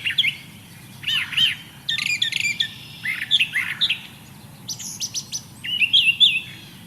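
Brown Thrasher singing a rich, varied string of bright, whistled and buzzy phrases, many given twice in quick succession, with short gaps between bursts.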